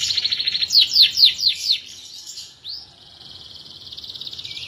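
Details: Canary in full song, meant as a long tutor recording: a quick series of sharp, repeated downward-sweeping notes, then a short rising whistle and a steady high, rapid trill.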